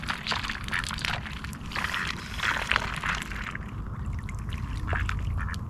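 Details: Ducks on the shore of Osoyoos Lake, British Columbia, Canada, in sunshine, quack in harsh, nasal bursts, several birds calling irregularly over a steady low wind rumble; loons are seen landing on the lake.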